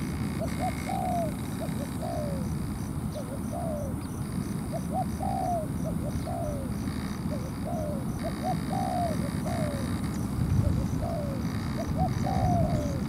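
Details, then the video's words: Spotted dove decoy on the ground in a trap, provoking a wild dove into a territorial fight; rhythmic series of short, slurred coos repeated about every second, against constant low background rumble. "Bẫy chim cu gáy mồi đất"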